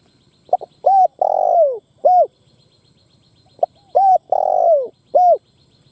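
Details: Spotted dove used as a ground decoy to provoke wild birds to fight gives two repeated phrases: quick stuttering notes, a long coo sliding downward, then a short mellow hoot, in a quiet setting.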